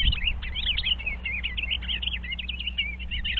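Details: Eastern bluebirds checking out a birdhouse on 25 February 2023; a continuous run of short chirping and warbling notes, quickly varied and overlapping, over a steady low hum.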